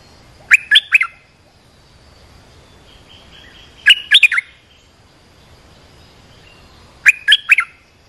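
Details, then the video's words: Olive-winged bulbul lure call for training young birds and attracting wild birds, three short bubbly phrases of quick liquid whistled notes, repeated roughly every three seconds. "เสียงนกดอกแตงEp.248 เปิดหัดลูกเสอ ลูกใบ้ เสียงเรียกนกป่า Suara pikat merbah lekir gacor"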